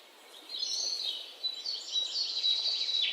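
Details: Parrot chicks recorded on 19 May 2023: dense, high, overlapping chirping and chattering that swells after a quiet start and continues unbroken to the end.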